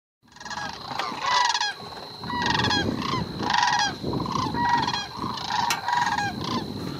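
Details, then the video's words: Migrating sandhill cranes in Arizona's Sonoran desert give loud, rolling, bugling calls in overlapping bursts every second or so, many birds calling together over a low rumble. "Sandhill Crane Migration"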